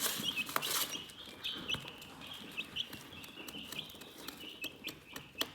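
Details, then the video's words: Relaxing chicken chirping: a busy run of short high peeps, roughly four a second and irregular, mixed with rapid pecking clicks and a brief rustle at the start. "Chicken Relaxing Soothing Chirping Sounds"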